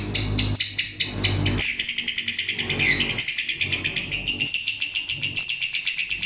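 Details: Long-tailed shrike singing in its natural habitat: rapid harsh chattering notes mixed with thin high whistles and mimicked phrases, delivered in quick bursts with brief pauses between.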